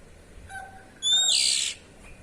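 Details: Kacer, the Oriental magpie-robin, making its 'cier' call in the ngeplong style, played to prompt young birds to sing. A faint thin whistle comes first, then a single loud, rasping, hissing burst lasting about two-thirds of a second.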